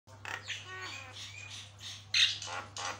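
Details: Javan myna singing energetically, a song said to make other mynas answer; harsh squawky and chattering notes with brief whistled bits, uneven bursts over a steady low mains hum.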